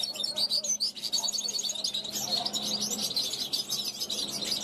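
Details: Young 2021 European goldfinch, kept at a balcony, calling out to wild goldfinches flying past. Rapid twittering with bright tinkling notes and brief buzzy trills, over a faint low hum.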